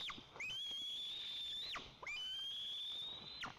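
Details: At a Tatarstan national park nest of white-tailed eagles, filmed by nest camera while the male delivers fish to the eaglet, drawn-out piercing whistles hold steady, then drop abruptly at the end, coming in about three repeats.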